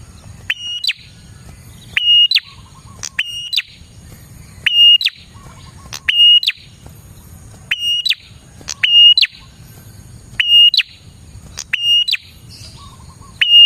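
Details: Prinia, a vigorous singer used as a lure to attract prinias: a sharp click, then a steady high whistle and a quick falling stroke, repeated about every 1.3 seconds, with a soft low rumble between phrases.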